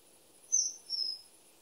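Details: Common kingfisher giving two high, thin whistled notes, the first short and sharp and the second longer and slightly falling, spaced about half a second apart over a quiet background.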